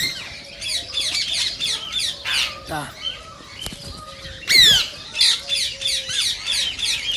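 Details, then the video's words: Green rose-ringed parakeets, the Indian ring-necked parakeet, give shrill, harsh screeches in rapid repeated bursts, with one louder descending squawk midway. The sound is said to stimulate other parakeets to sing and mate. "صوت ببغاء الدرة الخضراء"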